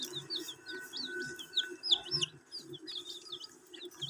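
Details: Several hen-coloured domestic chicks drinking water, their high, thin, downward-sliding peeps tumbling over one another about three a second, with a steady low hum underneath.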